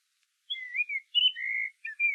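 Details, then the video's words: Common blackbird singing in a forest, its song described as flute-like: a few smooth, clear whistled phrases that slide up and down, delivered over under two seconds with short gaps between them. "Чорний Дріст має флейтову пісню."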